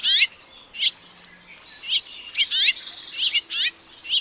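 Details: House finch song phrases, a bird found in North American suburbs and open country: scattered bright chirps and rasping trilled notes, separated by quieter gaps, with faint background hiss.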